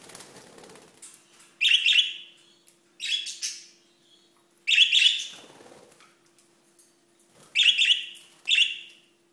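Budgerigars give harsh, scratchy chirps in short bursts, a second or two apart.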